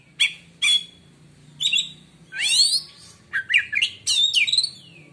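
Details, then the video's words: Song of an Oriental magpie-robin, claimed to silence rival magpie-robins: sharp whistled notes followed by sweeping, slurred phrases and quick chattering trills over a low steady hum. "kacer lain di jamin langsung diam bila denger suara kacer ini"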